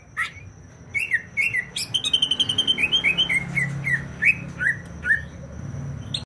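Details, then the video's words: Greater green leafbird from Banyuwangi, East Java: bursts of whistles, a fast rattling trill, then a descending series of clear slurred whistled notes, with faint low rumble behind. "CUCAK IJO BANYUWANGI GACOR"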